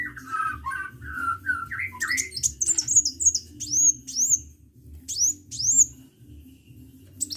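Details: Energetic sunbird song: a run of lower warbled notes that climbs stepwise, then rapid high, thin, downslurred whistles and sharp chirps delivered in quick bursts, with brief pauses between phrases.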